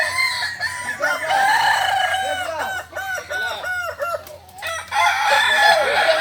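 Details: At a practice meet in Ampang Kualo, Kota Solok, Kokok Balenggek roosters crow in long strings of short, bouncing arched notes repeated several per second, with brief gaps and overlapping neighbours.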